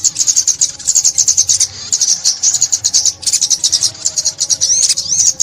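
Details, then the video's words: Trapped sunbird singing continuous high, thin twitters and fast chattering trills, a rapid stream of sharp notes broken by a few short gaps. "Tiếng Chim Ốc Mít"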